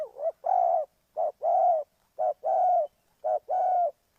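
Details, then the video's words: Lure spotted dove from Ninh Thuận calling in steady rhythm: four low two-part coos, a short note then a longer level hoot, roughly one per second against silence. "Cu gáy Ninh Thuận"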